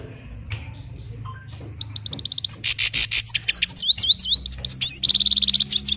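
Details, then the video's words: Parachinar Himalayan goldfinch in full song after a quiet start: bright repeated chips, a dense buzzy burst, then rising and falling whistled slurs and a closing rapid trill, all high-pitched and tumbling. "best parachinar Himalayan gold finch slowly motivational sings"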